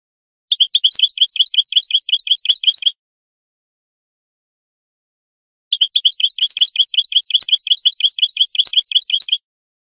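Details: European goldfinch song from a tutor recording for teaching young birds: two bursts of rapid, high twittering trills repeated many times per second, separated by a few seconds of silence, with no other sounds.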